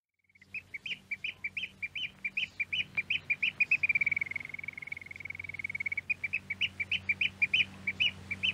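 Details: A Eurasian oystercatcher (Haematopus ostralegus) in Norway, from a radio archive recording, gives loud, shrill piping notes about four a second, which run into a fast rolling trill midway before the sharp notes resume; faint low hum behind.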